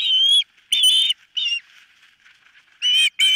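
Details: Osprey at a nest watched by a camera, calling on 4 September 2023 while one bird nearly loses a toe: loud, harsh, high whistled yelps given in short bursts with quiet gaps between them.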